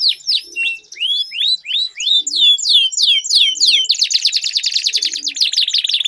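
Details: Pair of canaries singing in a duel, opening with slower looping whistled notes about three per second, then speeding into a dense, buzzy, high trill.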